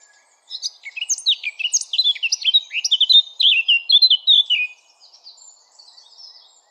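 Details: Song of the Eurasian blackcap: a fast, jumbled warble of sharp chirps and downward-slurred whistles that grows louder, then trails off into quiet, thin high notes at the end.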